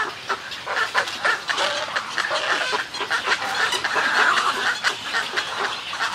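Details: Close recording of snowy egrets in a colony, with raspy, throaty squawks in uneven bursts and a busy background of more croaking birds.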